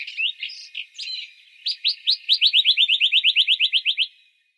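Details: Western rock nuthatch (Sitta neumayer) in İzmir, Türkiye, March 2020: a few varied chirps, then a fast, loud run of about sixteen ringing notes, each sliding in pitch, slightly falling and slowing toward the end.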